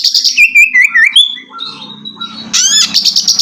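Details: Oriental magpie-robin song played to stimulate a bird that has stopped singing: loud, varied phrases of clear whistles, some rising, others falling, mixed with buzzy trills and sharp high chirps, over a faint low hum.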